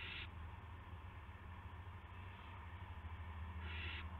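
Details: Owl on a live camera at 8:00 PM, March 18, 2016, carrying a gopher; a clipped harsh screech at the start and another broad, breathy screech near the end, steady low hum between.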